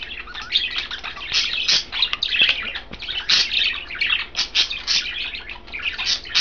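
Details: Three caged budgerigars, one green, one blue, one white, eating kale and chattering; rapid scratchy chirps and warbled notes overlap steadily, rising and falling in loudness through the stretch.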